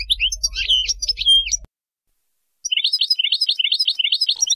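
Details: European goldfinch song for teaching young birds: a mix of twitters and a level whistled note over a low hum, then after a pause a run of repeated, rhythmic chirping figures.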